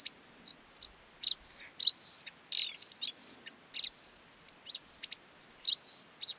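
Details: Godlewski's bunting (Emberiza godlewskii) in the Mongolian Gobi, singing a quick, jumbled run of thin, high chirps and short sliding notes, repeated in bursts with brief pauses.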